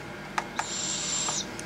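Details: Young captive barred owls, siblings being raised for a soft hack release planned for around June, give a harsh, breathy hissing rasp lasting nearly a second, preceded by two sharp clicks, with a faint click afterward.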